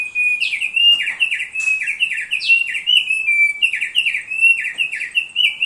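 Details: Thick-billed heleia in full song, used as a training master for other songbirds: loud, lively phrases of sharp rising and falling whistled notes, repeated rapidly and continuously with little pause.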